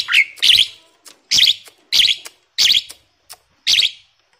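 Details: Tame, talkative Asian pied starling, kept as a master bird to lure other birds into singing, gives five harsh, noisy bursts about every 0.6 seconds, each a rasping chatter with short quiet gaps between.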